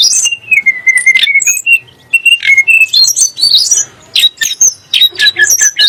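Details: Tledek gunung, the Sunda blue robin, singing a song meant to provoke shamas and other birds: drawn-out descending whistles, then dense bursts of sharp, high chirps and buzzy notes.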